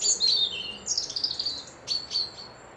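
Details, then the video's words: Birds whistling by a loch near Dundee, Scotland: thin, high, sliding whistles overlap in a busy, twittering stream, with a few sharp chirps near the end against quiet background hum. "Birds whistling"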